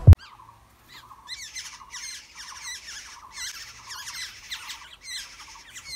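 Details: Black-hooded oriole chicks in the nest being fed, giving harsh, raspy begging squawks in rapid bursts after a sharp click at the start, the bursts swelling and fading repeatedly with short pauses.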